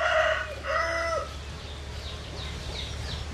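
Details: Domestic rooster crowing: two harsh, hoarse syllables, the second drawn out and ending abruptly, followed by a faint distant background.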